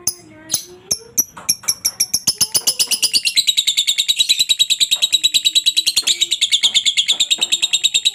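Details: Lovebird ngekek chatter, intended to make other lovebirds respond. A few separate chirps build into a long, rapid, unbroken run of shrill buzzy notes. Softer lower whistles sound behind it.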